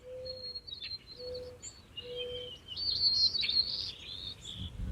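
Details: White-crowned sparrow on a farm during spring planting in May, identified by the Merlin app: clear high whistles, then a buzzy trilled run. Three low, steady hoots repeat about once a second underneath, over soft outdoor noise with crackles.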